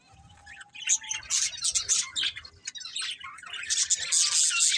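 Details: Budgerigar chatter: a faint steady low tone at the start, then rapid high chirps and squeaky warbling that grow louder toward the end.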